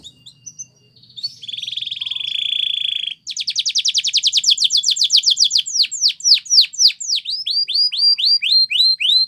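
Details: A Belgian canary sings a training song: a few soft chips, a sustained buzzy rolling tone, then a fast pulsing trill that breaks into a series of steeply falling whistles.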